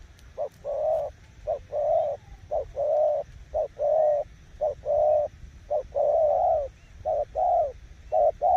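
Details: Cooing spotted dove, a decoy bird showing off its coo style, giving steady runs of short and drawn-out mellow coos with little pause between them.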